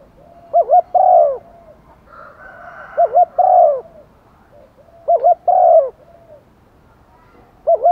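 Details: Spotted dove used as a decoy, cooing urgently to attract wild birds: a clipped double note followed by a drawn-out coo, repeated about every two and a half seconds, with a fainter dove cooing in between.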